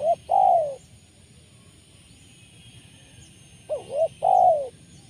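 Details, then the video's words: Spotted dove, used for luring wild doves, in a style called 'poin penguasa makam', described as full of rolling 'rrr' notes; two pairs of low, rolling coos, each a short note then a longer falling one, separated by a quiet pause. "Mikat Tekukur,,poin penguasa makam.."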